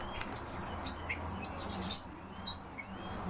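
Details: European bee-eaters chirping: short high notes in an uneven series alongside a thin, steady whistled tone, with low background hum.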